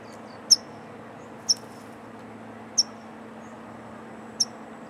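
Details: Rock pipit, one of a nesting pair on a port seafront in western Scotland busy collecting invertebrate food for their young, giving four thin, sharp, very high single notes at uneven intervals of 1–1.5 seconds over a steady low rushing background.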